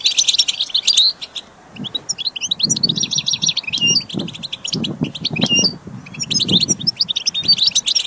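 A goldfinch pours out rapid, tinkling twitters and buzzy trills, high and continuous, with soft low rustling or fluttering underneath.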